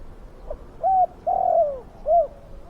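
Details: Spotted dove with a big, fierce voice, used for luring wild doves. It gives one phrase of three mellow coos: a short note, a long sagging note and a short arched one.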